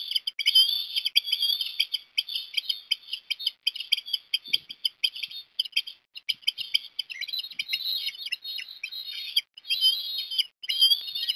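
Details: Osprey at Port Lincoln, Australia, on 17 December 2021, at breakfast as a chick is fed fish; shrill, whistled chirping calls come in rapid, near-continuous bursts with brief pauses.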